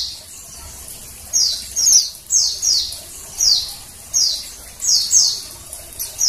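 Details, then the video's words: Female Oriental white-eye calling to bring males into song: a steady series of high, falling chirps, about eight in five seconds, each sharp and brief. "suara PLECI BETINA penggacor PLECI JANTAN"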